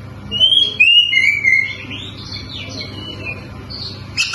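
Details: White-rumped shama, or kacer, opening with three pure, falling whistled notes, then softer warbled phrases and a short burst of high chatter at the end.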